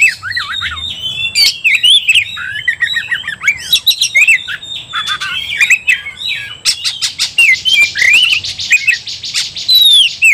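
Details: Agitated Oriental magpie-robin, known locally as kacer, in continuous fighting song: a rapid, dense stream of varied whistles, harsh rasping notes and ticking clicks, running almost without pause and louder toward the end.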